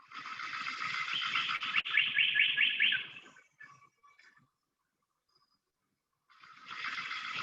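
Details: A Golden Bowerbird, a very restricted-range species in eastern Australia, gives a harsh, crackling buzz with a rapid pulsing rattle like an electric current for about three seconds, then starts again after a pause.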